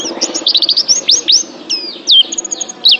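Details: Oriental white-eye singing on a training recording for pet songbirds: a rapid, high, bright twitter of short chirps, then looping downward-slurred whistles and sharp clipped notes, packed densely with no pauses.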